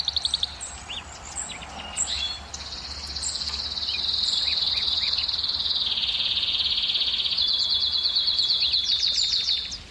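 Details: Canary singing to rouse females for breeding: scattered short chips at first, then a long, high, sustained rolling trill that dips slightly in pitch and ends in a bright, fast rattle.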